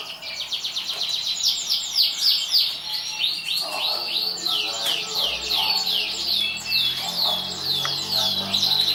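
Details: Champion canary from a 2014 contest delivering rapid repeated down-slurred chirps, about three or four per second, in high bright trills that shift into new phrases midway.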